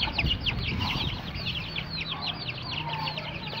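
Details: Many young chickens cheeping together while being reared: dense overlapping high-pitched downward-sliding peeps, roughly three or four per second, continuing steadily, with a soft low hum and faint noise underneath.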